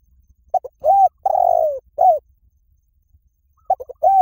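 Spotted dove cooing low and soft: two quick notes, a long drawn-out coo, then a clipped final note, with the phrase beginning again after a pause.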